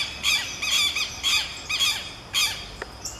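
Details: Harsh, grating squawks of a Southern lapwing duet, overlapping double notes in rapid bursts about twice a second, followed by a short click and a faint high chirp.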